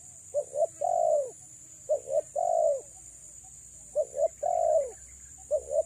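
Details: Cooing of a female spotted dove used to lure males: a doubled short hoot then a drawn-out descending coo, repeated four times at about one-and-a-half-second intervals, with a constant hiss behind.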